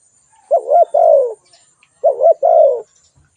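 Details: Spotted dove calling twice, about one and a half seconds apart; each call opens with a wavering low note and ends in a longer, softly falling coo.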